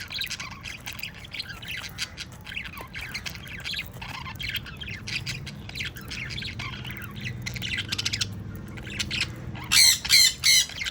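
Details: A breeding pair of sun conures chirp busily in a steady chatter, ending in a few loud, harsh squawks.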